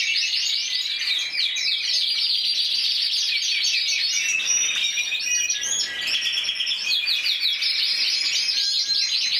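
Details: Champion canary, intense yellow, Spain 2014, 94 points, in full song: crisp, fast repeated syllables forming rolling high trills, some tours staccato and others flowing, continuous for the whole stretch.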